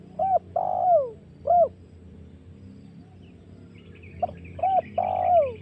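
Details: A spotted dove coos as a hunting lure to excite wild doves. Crisp short notes frame a long downward-curving coo, the pattern given twice. A faint higher rasping noise appears near the end.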